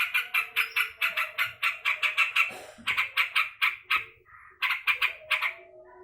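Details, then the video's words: Irritated yellow-vented bulbul giving a grating, rapid chatter. A short squawk breaks the run, then come softer rough notes and another fast harsh burst. "BURUNG TRUCUKAN GACOR LAGI EMOSI"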